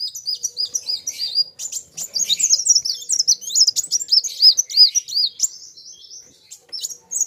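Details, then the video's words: High, thin sunbird (kolibri wulung) song against a rival: strings of arched, rising-falling whistles repeated about three per second, mixed with sharp chirps from a second bird, with short pauses between bursts. "BURUNG KOLIBRI WULUNG NARUNG GACORR KETEMU LAWAN SAMA" GACORR..RAMAII"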